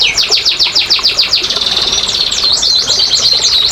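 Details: Canary song used as a lure to prompt lazy, quiet canaries to sing: a run of rapid descending whistled notes, then a buzzy trill, then repeated sharp sweeping chirps, loud and continuous.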